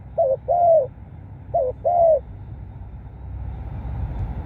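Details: Cooing spotted dove used to lure wild birds in: two phrases, each a brief wavering double note followed by a drawn-out mellow falling coo, then a steady faint hiss.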